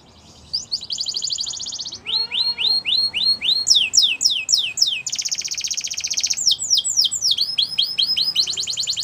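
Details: Varied canary song of fast buzzy trills alternating with rising chirps, steep descending notes and another rolling trill, loud and continuous throughout.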